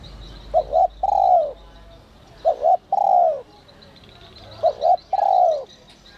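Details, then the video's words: Spotted dove singing in the whistle-voice style (giọng còi te te), meant to stir wild doves into calling. Three phrases roughly two seconds apart, each a quick double note followed by a drawn-out descending coo. Soft chirping from other birds. "Chim cu gáy GIỌNG CÒI te te kích bổi cực sung, giọng nhạy bổi kích cu gáy bổi nhanh gáy"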